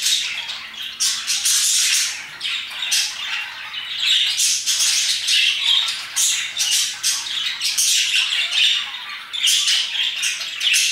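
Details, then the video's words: Several parakeets chirping and singing around 2pm, a dense, continuous chatter of high, harsh squawks and scratchy chirps overlapping throughout with no pauses. "Parakeets chirping and singing their hearts out"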